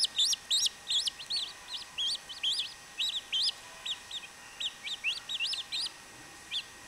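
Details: Chachalaca chicks giving rapid, irregular high peeps, about two or three per second, louder at the start and gradually spreading out.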